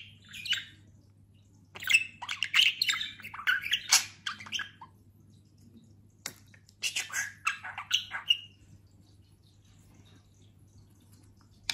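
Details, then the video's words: Pet talking budgerigar, recently through a molt and grown quite plump, gives bursts of scratchy, warbling chatter in short phrases separated by quiet gaps, with a steady low hum underneath. "Konuşan muhabbet kuşu"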